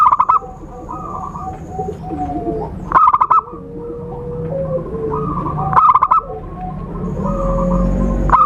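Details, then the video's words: Calls of a zebra dove played to lure birds into traps: three strong rattling bursts roughly three seconds apart, separated by quieter looping whistles and slurred notes from other birds and a faint steady high tone. "Suara Khusus PIKAT burung Perkutut/Merbuk"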